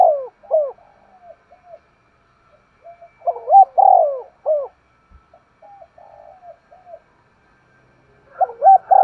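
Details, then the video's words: Spotted dove giving vigorous 'thúc gù' cooing: low, hollow coos in short bursts of two to four notes, with loud groups at the start, around the middle and at the end, separated by quieter, softer coos and near-silent gaps. "Tiếng chim cu gáy thúc gù cực sung"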